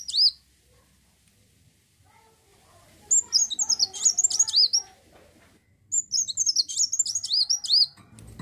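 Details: Brief high note, then two long phrases of fast, tumbling, very high twitters with swooping notes, separated by a short pause; olive-backed sunbird 'gacor' song intended to make other birds sing.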